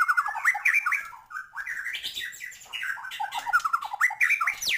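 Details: Chatty white-rumped shama song packed with varied material and meant to quickly stir up other birds. Rich rapid phrases of whistles, slurred notes and chattering trills run mostly around the middle pitch range, with a sharp upward note near the end.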